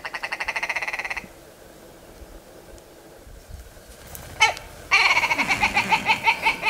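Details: Willow ptarmigan in spring on Andøya, Vesterålen, surprised early in the morning, gives harsh, rapid, rattling cackles like croaky laughter in two bursts about four seconds apart, with a sharp click between them.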